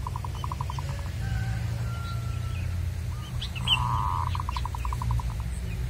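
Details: Local wild zebra dove at a luring site: a rapid stuttering trill, then a faint sliding whistle, then a louder phrase of a held note breaking into quick pulsed coos, with a few high chirps and low background hum.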